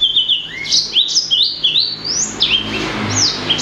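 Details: Blacksang, a hybrid of blackthroat and sanger, singing a lively run of high whistled notes that slide down and up, each phrase short and bright, following one another quickly with hardly a pause.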